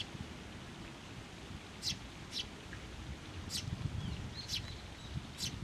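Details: Sparrow parents and chicks flying in for food on a post at a Tenmangu shrine, 11 June 2024: five short high chirps spaced irregularly over a steady outdoor hiss and low rustling.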